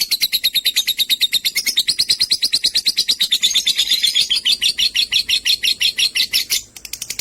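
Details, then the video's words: Continuous rapid chattering from lovebirds of sky blue opaline and green opaline colouring: a fast, buzzy stream of high notes, several per second, ending in a brief pause and a few more notes. "Lovebirds chirping sounds"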